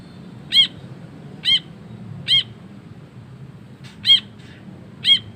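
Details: Brinji kelabu, the ashy bulbul, singing actively: six short sharp nasal notes spaced roughly a second apart, clean and evenly loud, with a soft low rumble underneath.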